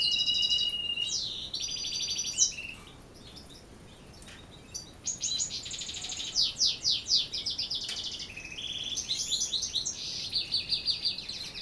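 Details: European goldfinch singing at dusk while canaries sing as well: loud, busy twittering and trills, then a brief lull, followed by rhythmic repeated chirps and rapid tinkling phrases.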